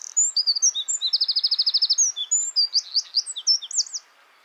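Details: Tiny wren hidden in a hedge on a tree-shaded footpath in West Sussex bursts into loud song: high piercing notes, a fast rattling trill, then jumbled high twitters before stopping abruptly after about four seconds.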